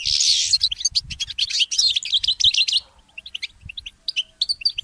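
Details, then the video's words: Goldfinch mule singing in the early morning: a dense burst of high twittering for about three seconds, then only sparse single chirps, with low thudding noises in the background. "The inspiring Motif of the Mule Goldfinch"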